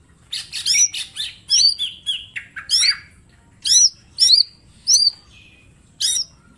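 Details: Green leafbird pours out dense harsh-edged whistled notes, then slows to separate looping high whistles spaced about half a second to a second apart.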